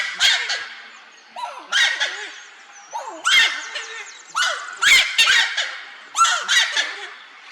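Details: A Giant Wood-Rail emerging from riverside vegetation at dawn in fog in Chaco National Park, Argentina, gives loud, raucous, screeching outbursts, about five harsh bursts roughly a second and a half apart, falling off at the end, then flies off calling.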